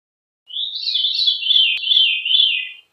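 A Veery's song: a single breezy, fluty phrase of about two seconds, with overlapping ringing tones that waver and settle lower toward the end.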